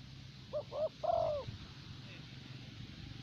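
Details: Spotted dove kept as a decoy bird in Vietnam for luring wild doves; one phrase of two short rising coos followed by a longer, drawn-out low coo, over a steady low hum.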